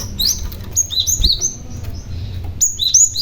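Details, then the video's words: Cinereous tit lure bird giving bright whistled notes that slide down in quick pairs and triplets, delivered in a rapid run with a brief pause before another burst, against faint low background hum. "BURUNG GLATIK PAUD GACOR , Si Pemancing Bunyi Glatik Lain Yang Handal"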